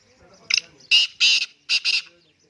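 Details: Black francolin, locally kala teetar, gives a rasping call phrase: one brief note followed by four strident, harsh syllables grouped in pairs, loud and clear above a quiet background.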